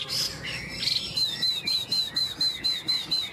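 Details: Chinese hwamei in a cage hanging on a peach tree in breezy sunshine. A few varied notes, then a crisp high whistled note repeated about four times a second in a steady series.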